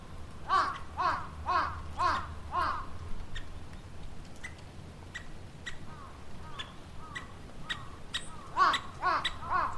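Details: A woodpecker recorded on 20 March 2020 gives a quick run of five ringing, down-slurred notes. Scattered faint calls and sharp ticks follow, then a brief second burst near the end.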